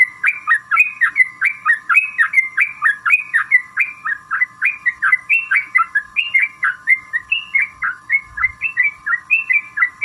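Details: Long rolling 'ropel panjang' song of a sooty-headed bulbul, intended to provoke other bulbuls into singing: ten seconds of evenly paced, bouncing two-tone whistled notes repeated nonstop, with a steady background hum.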